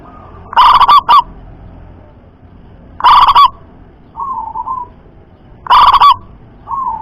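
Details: Local zebra dove with a loud voice said to carry far, used as a lure to make other doves sing. Three strong stuttering coo bursts spaced about two and a half seconds apart, with softer trilled notes between them.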